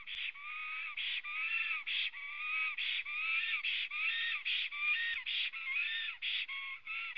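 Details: Black stork arriving at its nest in Latvia and calling, filmed by a nest webcam at 09:23 on 23 June 2017; harsh, nasal, harmonic calls come in a near-continuous run, roughly one per second, with short gaps between them.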